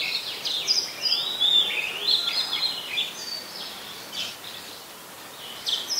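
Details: Very common resident Oriental magpie-robin singing in Ubon Ratchathani, Thailand, on 26 December 2020; high sweet whistles and quick sliding notes at the start, fading to sparser chirps toward the end.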